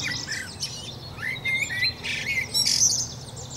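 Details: Common blackbird, locally called merel, giving a short fluted phrase of sliding mid-pitched notes that ends in thin, high, scratchy twittering; faint chirps from other birds and a steady low hum sit beneath.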